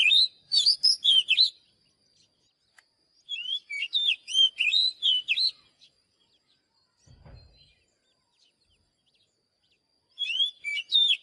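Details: Oriental magpie-robin giving loud, varied whistled phrases with upslurred and downslurred notes in rapid bursts, separated by long quiet gaps, with a brief low thump in one pause.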